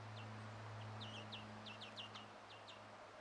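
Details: European greenfinch parent feeding a chick, 1 June 2017: a rapid run of thin, high chirps, some paired, about three per second, against steady low hum and background noise.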